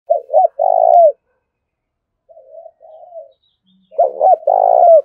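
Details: Spotted dove used as a decoy, calling eagerly to stir wild doves into answering: a low hoarse coo phrase of a short stuttered note then a long rolling coo, a softer distant answer, then the full phrase again.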